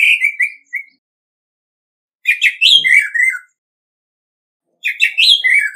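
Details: Orange-headed thrush singing in competition, free of background noise: short phrases of descending whistled notes mixed with crisp high chips, each phrase about a second long with quiet gaps between.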